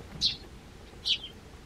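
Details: Garden Eurasian tree sparrow calling to its human from a bench outside the front door. Two separate short, bright chirps sound almost a second apart over quiet background.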